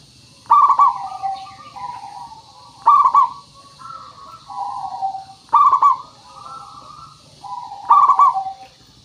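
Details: Local zebra dove singing as a lure to make other doves call back: four loud rolled staccato phrases about two and a half seconds apart, each followed by softer lower cooing notes, over steady hiss.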